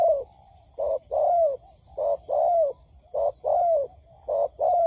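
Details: Spotted dove lure recording meant to draw wild doves fast: muffled, low cooing in short-long pairs, the longer note sliding down. Pairs repeat a little slower than once a second, with faint hiss behind.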